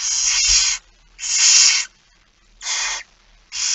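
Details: Barn owl begging at a feeding, recorded 13 September 2019 at 06:57: four long, harsh hissing screeches, each lasting under a second, separated by short silent gaps. The last screech is cut off at the end.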